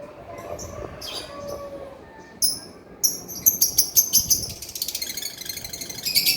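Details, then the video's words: Male lovebird opening with scattered thin squeaks before launching into a quickening run of high buzzy pulses that build into continuous rapid 'ngekek' chattering. "SUARA BURUNG LOVEBIRD GACOR JANTAN"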